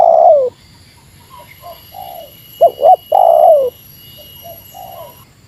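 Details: Spotted dove giving Meratus-style lure calls against a rival, said to bring the rival down from its perch within three seconds. Deep hollow coos: a long falling coo, a quick double note, then another long descending coo, with softer answering coos between.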